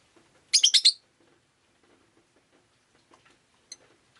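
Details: On a rainy day a pet rosy-faced lovebird lets out one quick burst of rapid, shrill chattering chirps, then only faint soft calls and a single distant chirp.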